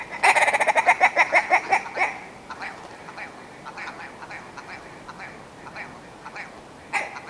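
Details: Willow ptarmigan giving a fast volley of about ten loud, hoarse clucks over two seconds, followed by scattered softer clicks and one last harsh note.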